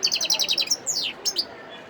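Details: A wild European goldfinch from Sidi Bel Abbes, Algeria, 17 December 2021, gives a quick series of about eight high, even notes, then a sweeping downslurred whistle and a couple of sharp chirps.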